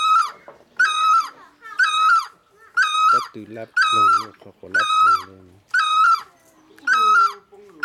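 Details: Great barbet giving a loud, regular call: a rich, nasal, two-part note repeated about once a second, with lower murmuring sounds between some calls.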